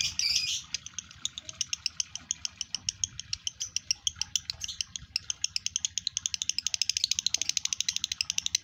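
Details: Lovebird male in breeding condition opening with a loud harsh squawk, then chattering on in fast, even ticking chirps that quicken toward the end, high and dry, with a low background hum.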